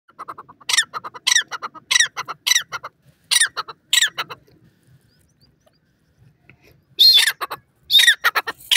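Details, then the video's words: Francolin, known as Irani teetar, calling: loud harsh ringing notes with sharp downward-curving tops, repeated about every 0.6 seconds for six notes, then a silent gap of two seconds before the loud series resumes. "francolin bird calling, irani teetar ke masti sound"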